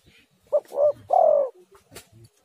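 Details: Spotted dove call played as a lure to draw other doves into calling: one short coo, a swelling second note, then a long falling coo, over faint background noise.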